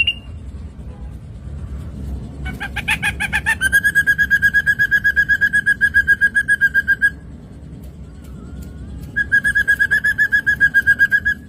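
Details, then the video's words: Ashy drongo singing, made as a training recording for songbirds: a brief buzzy burst, then a steady, fast-repeated pulsed note held for seconds, pausing and resuming in the same rapid rhythm. "materi masteran burung srigunting abu - abu"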